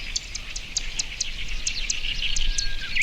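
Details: Marsh grassbird singing in early May at the Watarase retention basin, Japan, recorded from far away with a binaural microphone; short sharp notes repeat about five times a second over a dense, constant chorus of other birds.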